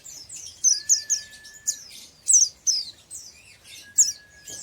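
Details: Young oriental white-eye trained toward the ngeriwik style, pouring out fast repeated high tweets and slurred chirps in a lively run, with a level lower whistle-like tone underneath.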